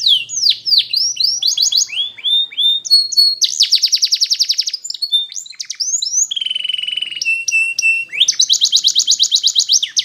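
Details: Canary song used for training: quick sweeping notes, long rolling trills, a sustained lower whistle and more rapid trills, bright and continuous.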